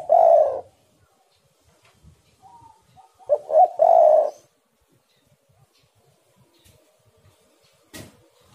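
Spotted dove giving low, soft coos: a short opening burst, then a broken three-part phrase ending in a longer coo. A sharp click follows near the end.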